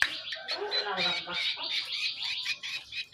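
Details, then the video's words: Greater green leafbird raised by hand, singing a master song: a brief continuous run of scratchy chattering and warbled notes, high and jumbled, with no pauses. "Suara burung cucak kombo"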